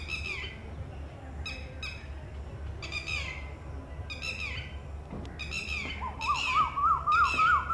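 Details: Female Red-wattled Lapwing giving warning calls after one of four eggs hatches in a ground nest; clusters of shrill falling notes recur every second or so, joined near the end by another bird's rapid zigzag whistling.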